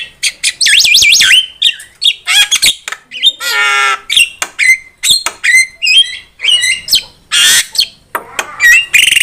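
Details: Javan myna song used as a trapping lure: a loud, varied medley of whistled wavering notes, harsh squawks, rattling bursts and clicks, delivered in rapid uneven phrases.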